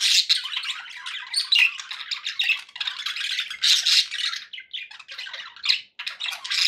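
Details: Loud, dense budgie chatter from pet parakeets: harsh squawking notes and fast buzzy warbles running together with little pause.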